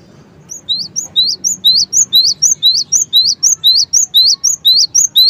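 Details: Cinereous tit (gelatik batu) in full 'gacor' song: sharp, high two-part whistled notes repeated about twice a second in a steady, even rhythm, over a faint low background hum.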